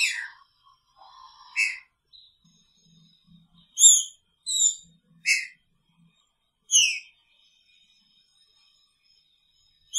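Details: Green-winged saltator caged with its female gives loud whistled notes and slurs in the first seven seconds, over a faint steady high tone and soft low background sounds.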